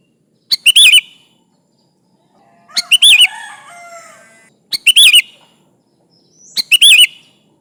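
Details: Sooty-headed bulbul, a lively singer calling rivals and used as a lure, giving short loud bubbly phrases of three to four notes around every two seconds, each ending in a sharp rising-falling whistle, with softer chatter between.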